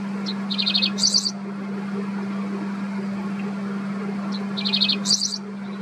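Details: A Dickcissel in the Midwest sings twice, about four seconds apart: a sharp note, a quick stuttered run, then a dry buzzy burst. A steady low hum runs underneath.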